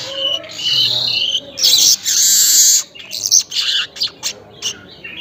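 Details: Weaver (manyar) in early morning song, recorded about 5:40; dry buzzing sizzles and rasping bursts followed by a run of short sharp chips, faint low rumble behind.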